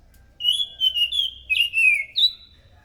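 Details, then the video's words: Scaly thrush, singing loudly to draw in other thrushes: a flowing two-second phrase of linked whistled notes, wavering and then falling slightly, ending in a higher rising whistle. "PANCINGAN BUNYI BURUNG ANIS SANGAT EFEKTIF, SUARA ASLI ANIS MACAN GACOR TEMBAKAN SUARA NYARING!"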